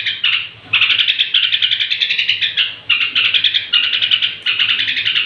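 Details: Straw-headed bulbul at bedtime, singing to provoke rival bulbuls: long, dense streams of fast repeated bright notes, nearly continuous for several seconds, broken by a few short pauses; low hum underneath.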